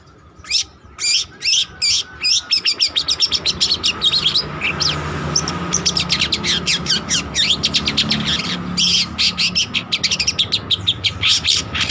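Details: Long-tailed shrike, trotol form, singing energetically as lure or master song: spaced harsh notes that speed into a long, rapid, even rattle of sharp chips.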